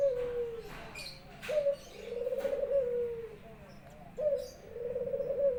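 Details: Pet Barbary dove kept at home in Indonesia, singing actively as its owner returns from work. Three coos, each a short clipped rising note followed by a long rolling, gently falling coo, spaced about two seconds apart.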